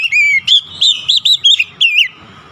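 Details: Oriental magpie-robin (kacer) singing in an emotional state, showing off its repertoire: a string of six or seven loud, rich whistled notes, each slurred and wavering, delivered evenly in just over two seconds.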